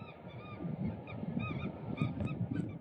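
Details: Eurasian oystercatchers in a group, screaming loudly while dancing to win a partner as some start to fight. Shrill, rapidly repeated piping notes overlap against a steady low rumble.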